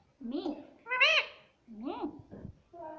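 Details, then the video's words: Indian ringneck parrot kept as a pet, mimicking the words "mummy papa": four clear, rising-then-falling harmonic syllables with short gaps between them, in a quiet room. "bolta parrot || cute Indian ringneck parrot"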